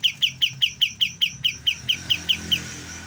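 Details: Young white-eye starting to learn to sing, giving a series of short, bright, high chirps at a quick even pace of roughly three per second, with faint background hum.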